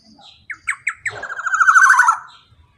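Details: Male black-naped oriole in a long 'ropel' phrase meant to get silent birds singing. Spaced harsh notes speed up into a dense, grating trill that swells, drops gently in pitch, then trails off. Faint low background hum.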